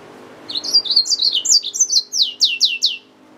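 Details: Yellow-fronted canary mule, a hybrid finch, singing: a quick run of high buzzy chirped notes that slide downward, ending in a series of about six clear falling trills in a fast even rhythm, with a quiet background.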